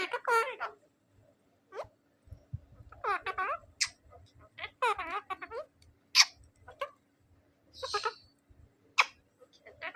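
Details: Pet talking rose-ringed parakeet says "MashaAllah" in a high, nasal, scratchy voice, the word repeated in bursts with sharp squawks between.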